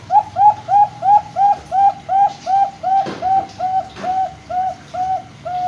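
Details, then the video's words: Zebra dove of the Bangkok type, singing actively and used as a lure to draw other doves into song; a rapid, even series of short mellow coos, about three per second, with faint clicks in the background. "Perkutut Bangkok gacor | perkutut lokal| pancingan perkutut"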